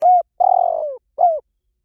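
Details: Spotted dove calling: a soft low coo, then a long burry rolled coo that drifts downward, then a closing downslurred coo, all within two seconds against a silent background.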